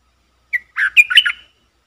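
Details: One crisp phrase from a red-whiskered bulbul decoy luring wild birds, a brief clear note followed by a cluster of rolling, warbled chirps, roughly a second long, in quiet surroundings.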